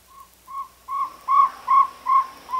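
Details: Jungle owlet calling in a steady run of hollow, whistled notes that build in volume, spaced roughly every 0.4 seconds, with faint harmonics above and a quiet background.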